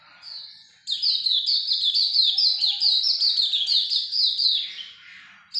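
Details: A soft opening note, then a Hume's white-eye bursts into a loud, rapid chain of high, squeaky down-slurred notes lasting about four seconds before falling silent briefly.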